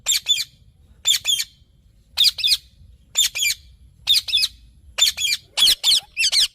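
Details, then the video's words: Green parrot squawking in rasping double notes repeated roughly once a second, the pairs coming faster and louder toward the end. "Green Parrot Natural Sounds"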